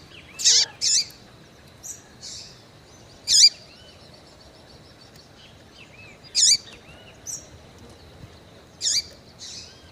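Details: A female rufous-collared seedeater calls to excite males, giving sharp high chips, some paired, at irregular intervals of about two to three seconds, with faint thin whistles in the background.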